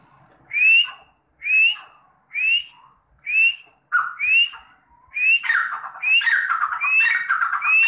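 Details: Partridge kept by a breeder of red and black partridges: loud clear whistled calls, each a rising slurred note with lower tail, repeated about every 0.9 seconds, later overlapping into a continuous chorus indoors.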